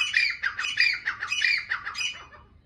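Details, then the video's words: Francolin giving a short burst of grating, squawky notes in quick succession. The notes weaken and trail off at the end against a quiet background. "دکھنی تیتر کی آواز || Voice of teetar || Teetar ki awaz"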